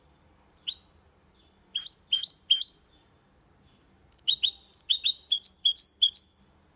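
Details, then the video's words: Goldfinch × canary hybrid singing a clean Malaga-style song without errors: short bursts of high, sharp chirped notes, a pair, then three, then a longer run of rising-falling twitters separated by silent pauses. "Mixto de Jilguero Cantando Limpio"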